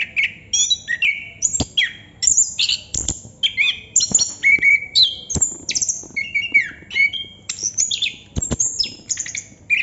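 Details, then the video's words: Ten seconds of unbroken 'ngerol' song from a Chestnut-capped thrush: a rich medley of whistles, slurred notes and chattering phrases with occasional sharp clicks. "Burung Anis kembang / Plontang Ngerol Non stop durasi panjang"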